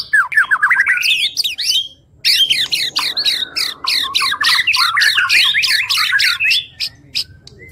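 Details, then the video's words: Singing white-rumped shama in a training recording for songbirds, delivering rapid harsh zigzag notes about four per second in long busy runs, with a short pause after two seconds. "OCEHAN MURAI BATU"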